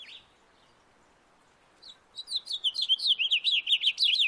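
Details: Backyard house finch in song, opening with a lone high note, then a fast, loud stream of warbled, up-and-down notes that continues to the end.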